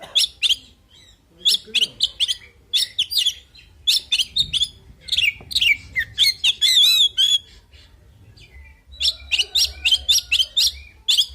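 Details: Male oriental magpie-robin giving a full fighting song, used to call out rivals: rapid bursts of sharp, whistled chirps and trills, repeated in dense runs with brief pauses and a soft low hum beneath.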